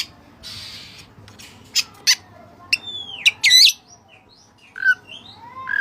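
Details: White-breasted Oriental magpie-robin singing with Cililin-style fill: a soft buzzy note, sharp chips, a long descending whistle, a loud twisting upslurred phrase, then quieter slurred whistles.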